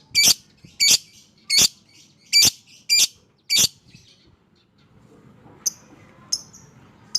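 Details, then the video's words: Fighter-type lovebird producing six loud, piercing, high chirps about every half second, followed by quieter scattered short notes and faint background noise. "Suara Burung LOVEBIRD FIGHTER Ngekek Panjang, Terapy PERANGSANG Lovebird MALAS BUNYI"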